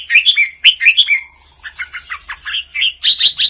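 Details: Apricot-coloured 'Mơ' red-whiskered bulbul singing the double-voice 'giọng kép' song. Loud, clear whistled notes come in quick pairs, then a run of shorter chirpy syllables, and the song ends in a bright burst of notes.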